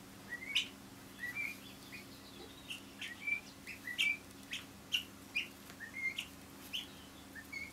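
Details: Two pet guineafowl perched on the back of a chair indoors, scratching at the furniture; short high chirps come in a steady stream of single notes and brief rising pairs, with faint clicks of scratching and a low steady hum.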